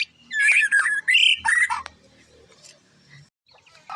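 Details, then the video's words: Short, vigorous burst of mixed whistles and chatter from a white-rumped shama, fading into quieter low background noise afterward. "burung muraibatu"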